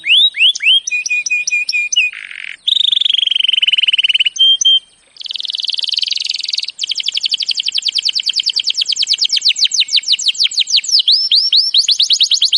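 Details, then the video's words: Canary training song, a long varied performance: chopped whistled phrases, a low buzzy roll, a brief high tone, then extended fast trills of sharp repeated notes continuing steadily with slight changes in speed and pitch. "Birds song Canary ❗suara Burung Kenari"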